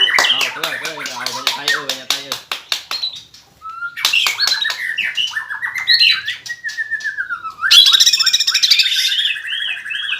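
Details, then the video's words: Greater green leafbird song of rapid clicking rattles, then slurred whistles and descending fluty notes, ending in a loud high buzzy trill. "SUARA CUCAK IJO GACOR NEMBAK NGEROLL"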